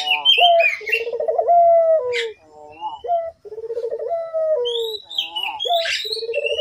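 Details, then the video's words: Energetic collared dove cooing used as a lure for other doves: low pulsed, buzzy coos sliding into held notes with brief upslurred hoots between them, overlaid by high whistling bird calls. "suara burung puter gacor, sangat ampuh buat pancingan puter agar bunyi"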